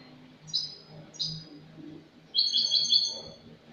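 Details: Spanish European goldfinch giving clean song from last year, recorded 08/22/2018: two short high twittering notes followed by a longer, louder bright trilled phrase, over a faint low hum.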